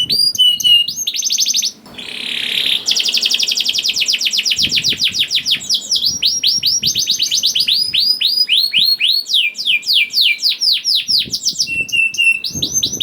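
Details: Young canary singing a lure song meant to coax reluctant canaries into singing: a continuous high-pitched run of fast rattling trills, a brief buzzy burst, then series of rising slurred whistles and sharp chips repeated several times per second.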